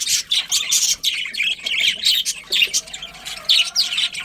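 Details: A breeding colony of budgerigars giving quick, scratchy chirps and squawks in short bursts, with a faint wavering whistle running underneath in the second half.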